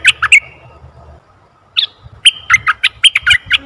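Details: Red-eyed bulbul call used as a lure: brief bubbly note clusters, a short pause, then a quick jumble of sharp warbled notes.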